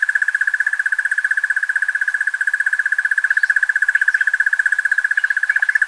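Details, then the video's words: Crested Barbet (Trachyphonus vaillantii), a common bushveld bird of Kruger National Park, gives a long, even, mid-pitched trill of very rapid pulses like a ringing alarm clock, unbroken for six seconds, with faint chirps behind. "Crested Barbet (Trachyphonus vaillantii) Bird Call"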